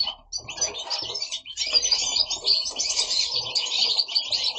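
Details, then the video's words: Several caged goldfinches kept at home in Italy singing together: a dense, continuous twittering of rapid chirps, trills and buzzy notes, lively and unbroken throughout. "Goldfinches singing at home"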